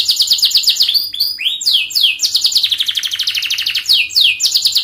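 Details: Canary song used to train young canaries to sing: a long, fast, dense run of high chirps, sweeping downward slurs and rapid trills, delivered without pause.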